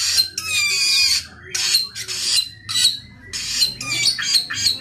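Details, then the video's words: Samyong singing vigorously, opening with a long rasping phrase carrying sliding whistled overtones, then four or five harsh chattering bursts in quick succession over a steady low hum. "burung samyong gacor"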